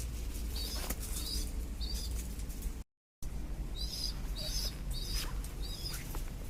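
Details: Baby pigeons at the growing stage repeat brief high-pitched squeaks, paired wavering peeps in several groups, with scattered rustles and a heavy low-frequency rumble throughout.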